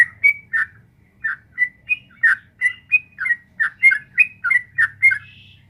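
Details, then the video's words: Sooty-headed bulbul performing long ropel chatter intended to draw replies from a caged bird; sequence of liquid slurred whistles, irregularly spaced then quickening, ending with a thin higher buzzy note. "suara burung trucuk gacor ropel panjang jadikan burung trucuk nyaut gacor seketika"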